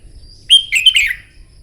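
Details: Red-whiskered bulbul singing a short contest-style morning phrase: a sharp clear whistle followed by bubbly, slurred notes descending in pitch, the burst lasting under a second against a quiet backdrop.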